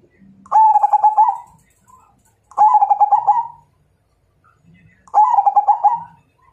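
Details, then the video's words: Majapahit zebra dove singing a challenge to fight. Three phrases of rapid, stuttered cooing notes each end in an extended soft coo, with faint low murmurs in the pauses. "Suara Perkutut MAJAPAHIT Ngajak Tarung"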